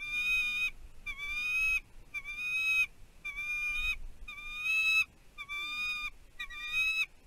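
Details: Bald eagle pair at a nest on Catalina Island, California, USA, in 2023, during a fish delivery. About seven shrill, squeaky calls, each lasting under a second, come roughly one per second over constant hiss.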